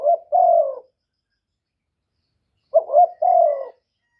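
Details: Spotted dove, young male, calling loudly: two phrases of low coos, each a brief stuttered note then a longer descending coo, separated by nearly two seconds of silence.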